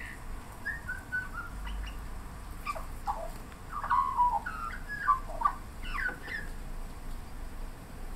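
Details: Australian magpie singing from a boundary fence in suburban Melbourne, Australia, late afternoon in light rain, running through a complex repertoire with mimicry. Clear, liquid warbled phrases and yodelling slides come in quick succession throughout, with faint low background noise.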